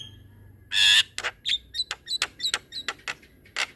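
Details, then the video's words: Black-winged myna song used to train other mynas: an explosive harsh screech followed by a quick irregular run of sharp clicking chips. "Jalak Kebo Gacor Ngeroll Panjang Cocok Untuk Masteran Segala Jenis Burung Jalak"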